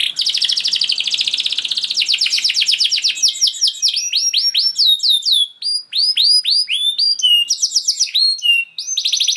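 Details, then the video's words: Long canary song meant to trigger a quick response from other canaries: opens with a dense rattling trill, then bright repeated swooping whistles and buzzy rolls in quick succession. "Seketika Kenari Kondisi Apapun Akan Langsung Respon Bunyi Gacor Panjang Tanpa Nunggu Lama"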